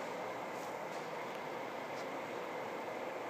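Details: A continuous broadband rumble, like a train or ventilation machinery, fills the recording. No bird or other animal call stands out above it.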